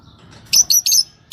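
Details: Fischer's lovebirds, a yellow pair, giving three short shrill chirps close together over faint low background hum.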